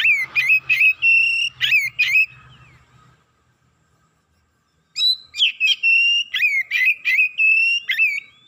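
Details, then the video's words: Oriental magpie-robin quickly growing excited and pouring out its learned repertoire: loud clear whistled notes near one pitch, each cut by sharp downward slurs, delivered in fast bursts around a silent gap of nearly two seconds, with faint low hum beneath. "KACER NAIK EMOSI BONGKAR ISIAN"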